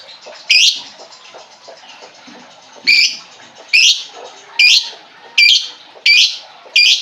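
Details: Lovebird calls played as a lure to get a silent lovebird singing: loud, sharp shrill chirps repeated about once a second over a steady background chatter of other birds.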